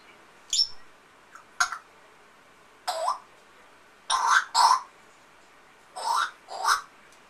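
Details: Pet African grey parrot mimicking a sick person's cough indoors: rough, breathy cough-like bursts, mostly in pairs, separated by pauses of about a second.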